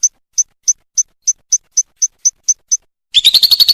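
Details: Lovebird in a 'kumat' training recording for contest birds: eleven short, sharp high chirps spaced evenly about three per second, then a sudden burst of dense, harsh, rapid chattering.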